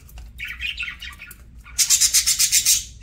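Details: Parakeet during a meal: soft warbled chatter, then a loud run of about eight rapid high shrill chirps, roughly four per second, with faint clicks and a low background hum.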